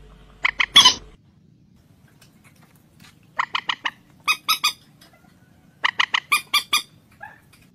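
Common moorhen giving harsh, clucking notes in quick bursts of three to five, loud and bright with pauses between groups; otherwise quiet.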